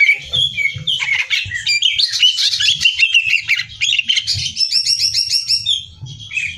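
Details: Caged greater green leafbird delivering nonstop competition-style song for training: rich jumble of whistles, chirps and mimicked notes with rapid, repeated buzzy trills toward the end.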